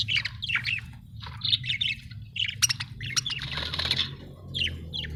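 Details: Cheerful budgies give quick high chirps and squeaky warbled notes in clusters, with brief gaps between bursts and a constant low hum underneath.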